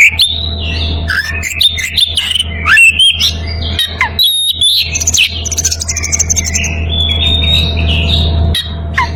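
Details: Breeding-condition Oriental magpie-robin calling a rival: rapid sequence of whistled slurs, chattering notes and piercing high squeaks, then a longer gently wavering whistle, all over a continuous low hum.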